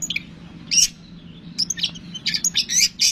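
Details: Long-tailed shrike singing a lively, excited song, offered as a lure to provoke other shrikes to sing: rapid bursts of scratchy, high chirps and sharp whistled notes, tumbling irregularly and growing denser toward the end.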